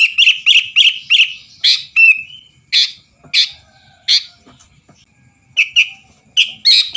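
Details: Sooty-headed bulbul in vigorous 'gacor' singing, used to provoke rival birds into singing: bursts of harsh, chattering chirps, some ending in short clear whistled notes, delivered in uneven groups with brief pauses.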